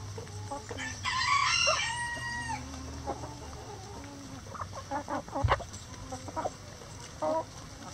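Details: Rooster in a chicken coop gives a loud, drawn-out crow early on, rich in harmonics, then hens keep up short, broken clucking and pecking sounds.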